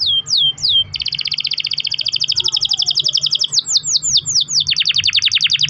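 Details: Canary giving long-roll song meant to prompt other canaries: three falling whistles, then an extended fast trill, a few sweeping slurs and a quick stuttering roll to the end.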